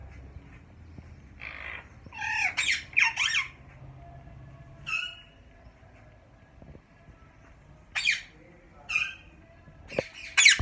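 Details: Harsh, scratchy squawks from caged yellow Indian ringneck pairs at Mian Channu, coming in scattered clusters separated by pauses of a few seconds, with faint background noise.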